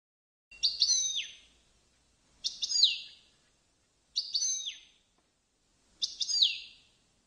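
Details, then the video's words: European goldfinch, a tutoring recording for teaching song: four separate short phrases of bright high notes ending in a falling sweep, repeated about every two seconds over a quiet background. "Chant De Chardonneret Goldfinch Song تعليم الحسون"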